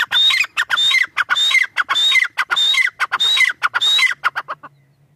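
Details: Tetar, a partridge, giving a fast series of calls, each a thin high whistle followed by a grating, descending flourish, repeated about seven times before a low hum takes over at the end.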